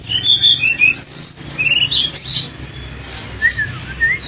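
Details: Flycatcher pouring out a lively song of shrill, rapid twitters and short upslurred whistles, high-pitched and almost unbroken, over a steady low hum.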